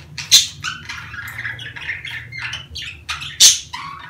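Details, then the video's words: Budgerigars calling during the mating season: continuous squeaky warbling with two loud sharp squawks near the start and end, a faint background hum. "دع اناث البادجي تسمع هذه الاصوات كي تبيض بسرعة"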